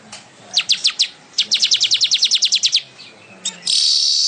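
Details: Weaver (manyar) in full song for tutoring songbirds: a few separate chirps, then a rapid trill of about twelve sharp high notes, a pause, and a sustained harsh buzzy hiss at the end.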